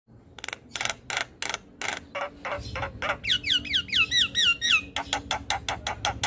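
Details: Black-winged myna in nonstop song: a run of sharp broadband ticks, then a fast series of paired upslurred whistles repeated about eight times, followed by more quick clicks.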